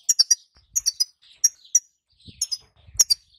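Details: European goldfinch female call, bitbita, played to stir the male to song: clusters of two or three sharp high chirps roughly every half second, with a low thump near the end.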